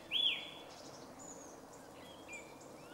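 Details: Song thrush in a grove near Jarun, Zagreb, Croatia, on 2 March 2016, giving one loud, clear whistled note that rises and then holds steady, followed by faint, thin high notes against a soft outdoor hiss.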